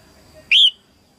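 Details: Female red-whiskered bulbul singing early in the 2022 season to stimulate males: one bright, clear whistled note rising then leveling off, lasting about a fifth of a second, in quiet surroundings.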